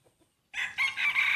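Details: Opening of a breeding rooster's crow during a crowing contest among main breeder cocks, loud and harsh, moving from a short first syllable into a long sustained note that is cut off.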